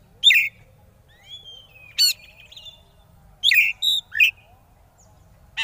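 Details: An Oriental magpie-robin in 'konslet' style, used as a lure to provoke rival birds into calling, gives loud, harsh chattering bursts mixed with thin rising and falling whistles, in short phrases over about five seconds.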